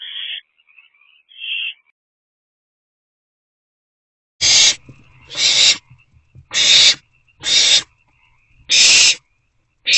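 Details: Two faint hisses from owlets in a nest box in April, then a series of much louder, harsher, broadband rasping bursts, about one per second.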